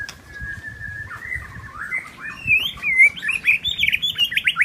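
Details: In the forest, a wild white-rumped shama opens with a long steady whistle, then breaks into fast rising and falling warbled notes climbing higher in pitch.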